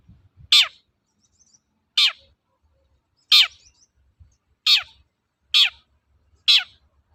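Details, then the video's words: Lure recording of a long-tailed shrike in the 'toet-toet' style, meant to make other shrikes sing: six strident, buzzy notes falling steeply in pitch, repeated at uneven intervals of about one to one and a half seconds, faint low thumps beneath. "BURUNG CENDET GACOR TOET-TOET, PANCINGAN AMPUH SAAT INI"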